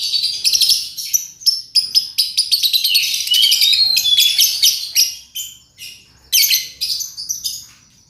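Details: Lovebird song as a lure for other lovebirds: choppy bursts of high, rapid chirps and metallic twitters broken by short pauses, with a few clear whistled notes.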